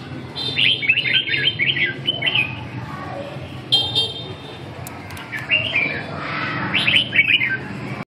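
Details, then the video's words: Red-whiskered bulbul at song practice: a rapid series of warbled, slurred notes, then a pause broken by a few sharp clicks, followed by two more short chirpy phrases, with steady low-pitched background noise throughout. "dợt cm 3"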